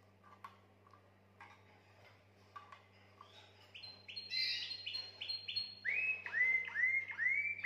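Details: Canary singing to excite females for mating. Quiet scattered chirps at first, then the song builds into buzzy rolling trills and a series of repeated downward-curving whistled notes, with a low steady hum behind.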